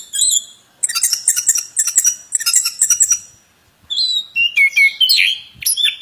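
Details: Plontang bird delivering rapid bursts of bright, tinkling chirps in quick clusters, a pause, then twisting whistled notes and short warbles.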